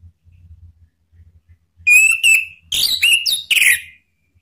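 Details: Orange-headed thrush male, Indonesia, singing in loose ngeplong style as a lure to provoke silent birds: three clear bright whistled bursts, the first sliding upward, the later ones warbled and slurred, with short gaps between.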